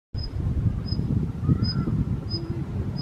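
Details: Daurian redstart giving thin, high whistled "hih" notes about every two-thirds of a second, over a steady low rumble of wind or distant traffic. Recorded 26 February 2023.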